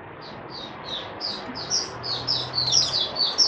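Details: White-eye opening song on 08012022 as the bird steadies its form: high, soft whistled notes quickening from spaced chirps into a dense twittering run, set against steady background hiss and a low hum.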